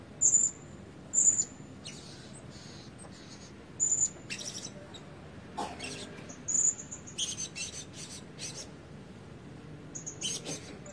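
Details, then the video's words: Decoy Blue-crowned Hanging Parrot, red-breasted and not fully feathered, gives three thin piercing squeaks, then rattling and clattering noises mix with a few further high calls. "Denak Pemikat Burung Serindit Dada Merah Belum Penuh Cuba Suara"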